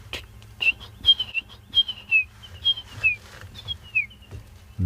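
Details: Brown-hooded Kingfisher on an African safari afternoon drive on 5 September gives its "pity for you" call, a run of high, clear whistled notes stepping downward, with other birds by a drainage line, faint chatter and engine hum.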